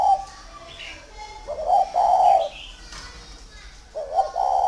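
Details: Kept spotted dove at a bird garden in Ba Vì, northern Vietnam, giving low, mellow coos: a brief broken note followed by a sustained hoarse coo, two phrases heard, with light background chirping.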